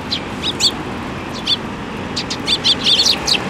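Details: Young Eurasian tree sparrows flying into a plum tree at a shrine to be fed, 25 May 2024, giving scattered short, sharp, high chirps in irregular bursts over a steady low background rumble.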